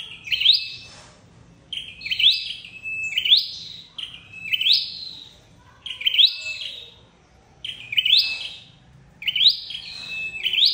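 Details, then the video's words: Red-headed flowerpecker calling, sound used to lure birds into traps: sharp, rising metallic chips, each ending in a brief trill, repeated roughly every one and a half seconds in a steady series. "Tiếng chim sâu đầu đỏ đi bẫy"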